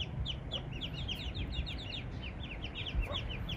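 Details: Spot-billed ducklings and mother that wandered in with no pond or river around; overlapping high peeping notes pour out nonstop, each falling in pitch, over a low background rumble.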